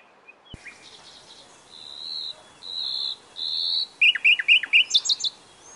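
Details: Nightingale song: three long, level, pure whistles, then a volley of loud, sharp, falling notes repeated rapidly.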